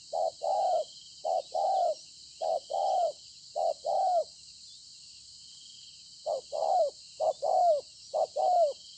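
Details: Field-caught spotted dove, 26 September 2020: a burst of four paired coos, a two-second pause, then three more pairs, each short note leading into a longer falling coo, with insects droning throughout.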